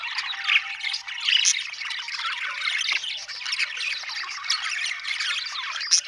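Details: Steady murmuring chatter from many budgerigars, a thick layer of soft warbles punctuated by occasional high chirps.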